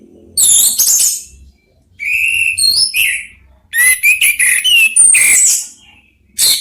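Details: Orange-headed thrushes, three answering one another, give sweet whistled notes and sliding phrases mixed with quick high twitters, in bursts separated by short silences.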